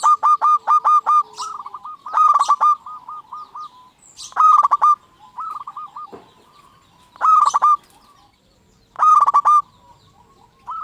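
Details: Local zebra dove in full song, used as a lure to provoke other zebra doves into singing; loud stuttering bursts of rapid, clipped cooing notes recur every two to three seconds, with softer trilled coo phrases between them.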